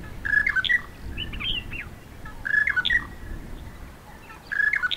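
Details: Monotonous lark (Mirafra passerinus) singing from a bush in Namibia after sunrise in a wet year, likely breeding; a short, jumbled phrase of chirpy, slurred whistles repeated about every two seconds over low background rumble.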